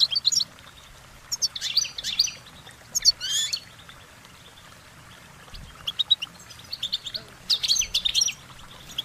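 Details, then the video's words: Goldfinches sing bright, high twittering bursts of short warbling notes, with quick chirps and buzzy trills, in short runs separated by brief pauses over a quiet background. "Goldfinch Singing their Song"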